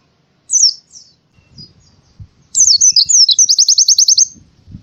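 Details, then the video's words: Oriental white-eye morning song: short high chirps, then a sweet twittering phrase running into a fast even trill of about ten notes; soft low knocks in the background. "suara burung pleci di pagi hari"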